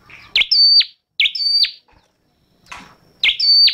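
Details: Scarlet-backed flowerpecker, a small wild red-headed bird, sings sharp high notes: each phrase a steep downward flick into a thin level whistle ending in a quick drop, three phrases with short gaps, a faint rustle between.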